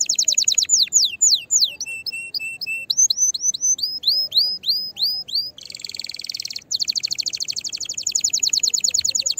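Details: Canary singing excitedly to stimulate other canaries to sing, varied phrases of downslurred and upslurred whistles, a harsh buzzy burst, then a rapid repeated trill.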